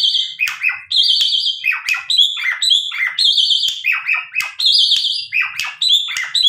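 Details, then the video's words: Tame Asian pied starling singing energetically as a lure for other starlings, alternating steady buzzy harmonic notes with quick downslurred whistles and sharp clicks in a fast, unbroken chattering stream. "Jalak suren gacor untuk pancingan,jalak lain langsung nyahut."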